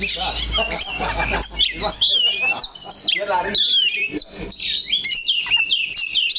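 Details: Oriental magpie-robin holding fast to one spot on its perch stand, pouring out a dense run of sharp whistles, chirps and slurred notes high in pitch, with human speech mixed underneath.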